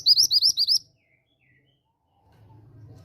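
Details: Female mantenan gunung bushchat calling to stimulate young males to sing: a rapid series of five or six high, hooked chirps in under a second, then near silence with a low hum.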